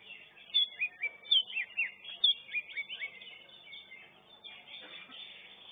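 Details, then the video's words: Greater green leafbird (cucak ijo) singing in the first-class round of a caged bird-singing competition: quick bright whistles and slurred chirps in a burst lasting about three seconds, fading into a busy background chorus of other contestants. "KELAS KE 1 CUCAK IJO"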